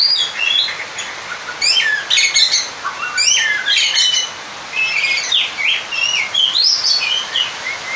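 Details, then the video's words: Song of an Oriental magpie-robin seeking a rival, meant to provoke another male: bursts of sharp high clicks alternate with warbled whistles and rising slurs, in phrases separated by brief pauses. "Pancingan suara Burung kacer/ mencari lawan Bikin Emosi seketika"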